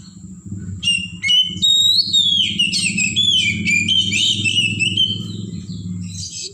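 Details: Oriental magpie-robin in the wild singing a long, varied sequence of loud whistles, trills and sliding notes, with a constant low droning background throughout.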